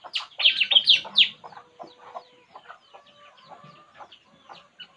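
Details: Puling bird at rest starts with a loud run of rapid, harsh high chatters, then trails off into faint, thin scattered notes and a soft steady tone.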